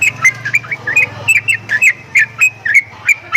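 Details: Strange-sounding Javan myna: quick bent whistles, some rising and some falling, delivered about once a second in an uneven string over a low droning hum.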